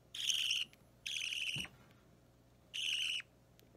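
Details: Hand-fed budgerigar chick, roughly three weeks old, green or opaline green, fidgeting during feeding, recorded March 30, 2017; three raspy, buzzy, high-pitched cries of about half a second, the first two close together, a soft thump between them, low hum behind.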